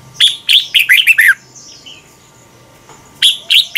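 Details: Red-whiskered bulbul in Thailand, recording meant for young birds to learn from: a rapid run of six bright, slurred whistled notes falling slightly in pitch, then a pause and a fresh phrase beginning, with faint background hum.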